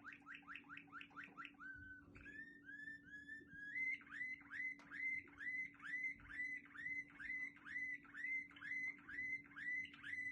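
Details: Song of a Quetta Waterslager canary: a quick series of bubbling downward-sweeping notes, soft held tones, then a long, regular run of sliding water-like notes about three per second over a low electrical hum.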